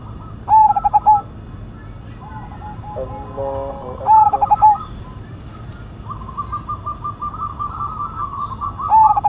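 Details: Cemani Majapahit zebra dove with a reputedly big voice repeats rapid, pulsed coo phrases roughly four seconds apart, with a short buzzy harmonic tone in between and a chorus of fainter cooing doves behind.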